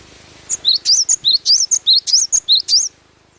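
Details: Singing cinereous tit, glatik batu, recorded with natural sound: a fast, even string of piercing high whistles, each note rising then dipping, about a dozen notes in two and a half seconds against a clean background.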